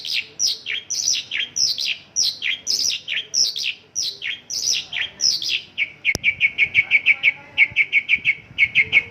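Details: Mongolian lark singing 'isian lokalan': varied rhythmic chirps give way, after a sharp click, to a fast repeated ticking note rattled off steadily at one pitch.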